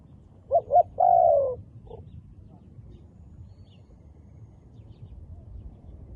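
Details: Wild dove with black-spotted feathers cooing once: two short soft notes and a long falling coo, then a faint short note and a long stretch of quiet low rumble.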